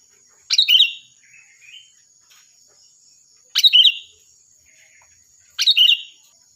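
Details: Sooty-headed bulbul, loud and shrill, recorded for training other birds: three sharp rolling phrases about three seconds apart, with small soft notes in between.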